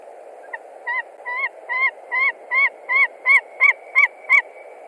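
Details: Nesting white-tailed eagle in Latvia screaming at a visiting stranger, likely a young eagle, on 20 March 2021: about eleven sharp yelps in an accelerating, steadily louder series, roughly three per second, over constant background hiss.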